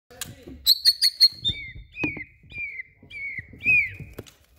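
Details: Bornean white-rumped shama of the blorok (mottled) variety singing: a quick burst of four bright chirps, then a series of clear, slightly falling whistled notes, each separated by short pauses, with soft knocking and handling noises below.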